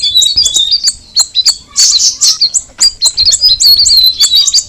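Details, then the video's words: Cucak rawis, the Straw-headed Bulbul, singing quick high chirping phrases broken by short pauses, with a rich burst of mixed notes around the middle and a steady stream of sharp whistles after. "the alluring sound of the cucak rawis bird"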